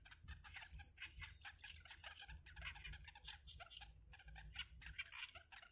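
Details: Nestling yellow bitterns being fed by the mother in a wild nest: a rapid, continuous run of scratchy, ticking calls in quick bursts, with brief pauses, over a constant hiss.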